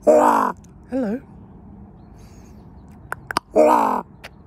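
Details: Pet common raven on a frosty Monday morning giving loud, harsh, drawn-out gwah calls, two strong ones bracketing a shorter wavering croak, with a few sharp clicks between.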